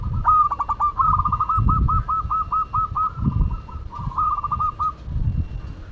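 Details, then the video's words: Local Madura zebra dove in full song: a rapid run of short, clipped cooing notes, stuttering at first, then an even rattling series, ending with a brief trill, over recurring low rumbling thumps in the background. "Perkutut Lokal Madura Gacor"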